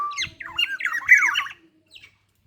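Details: Morning black-naped oriole, a local bird of Ijen, Bondowoso, giving a quick run of harsh, nasal, wavering notes lasting about a second and a half, then a faint short note after a pause.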